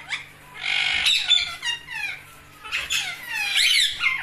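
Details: Green parrots giving harsh, buzzy squawks in two long bursts with rasping, descending notes, loud and close.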